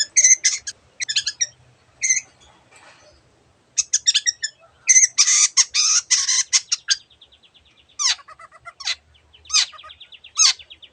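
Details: Long-tailed shrike, a cendet singing actively with varied mimicked bird sounds: clusters of sharp chirps, then a dense buzzy stretch, then a thin steady whistle broken by down-sweeping notes. Faint rustling is heard underneath.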